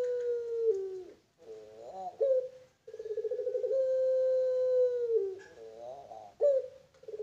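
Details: Pelung-type Barbary dove from a breeding farm: a sagging drawn coo, then gurgling rising phrases and a long even coo held for about two seconds, ending with further bubbly notes.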